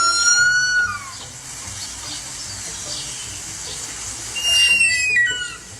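A harpy eagle gives thin, high, whistled wails, one early and another near the end, each sliding slightly downward, over a steady rushing hiss.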